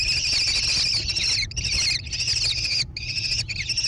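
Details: American kestrel chicks in a gravel nest box beside a barn, Prairie du Chien, Wisconsin, June 2022; raspy high bursts of about a second each, separated by brief pauses, over a faint low rumble.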